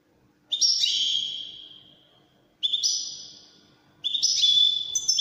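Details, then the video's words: European goldfinch singing in the Moroccan Wedani song style: three bright, tinkling, twittering bursts about a second each, separated by short pauses, with high liquid trills and quick chattering notes, over a quiet background. "الحسون الويداني الملك الذي يستحق استماع وتمتع في ادائه في التغاريد الويدانية المغربية"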